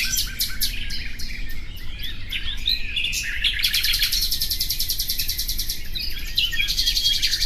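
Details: Common nightingale song mixes varied chirps and slurred whistles at first. From halfway on, a long, fast, insistent trill of repeated notes takes over, with high pure whistles sprinkled in and soft low background rumble.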